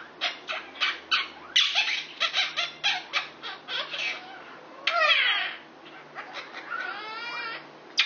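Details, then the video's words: A caged six-year-old male Indian ringneck parakeet flirts with a female Quaker parrot beside him. Steady rhythmic harsh squawks repeat about twice a second, followed by a long rasping note and a wavering whistle. "Indian Ringneck Flirting With His Neighbor, a Quaker"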